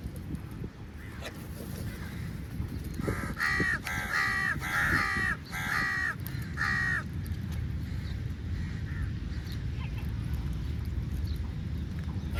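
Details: Crow calling for food, giving a run of five harsh, nasal caws in quick succession, each about half a second long. A little chatter precedes them, over a constant low rumble of background noise.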